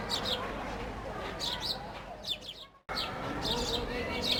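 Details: Several sparrows playing and feeding on bread give clusters of quick, high chirps against a noisy, murmuring background, broken by a brief moment of silence partway through.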